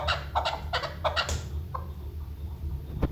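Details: A chukar, tagged as female and used for hunting, gives a fast run of harsh, clucking chuk notes, about four in the first second and a half, then scattered single notes over a low rumbling background.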